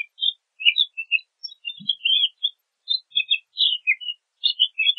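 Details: Pine grosbeak (Pinicola enucleator), song.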